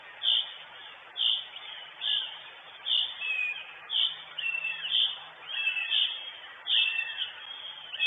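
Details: Northern goshawk, the mother at her nest on a live nest camera in Estonia, 23 June 2022, giving short, high, thin calls, some with a falling tail, about once a second over a soft steady hiss.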